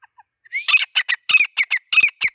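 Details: Male grey francolin calling: a rising whistled lead-in, then a loud rhythmic series of about nine harsh, ringing notes, some paired, delivered in quick succession against a silent background.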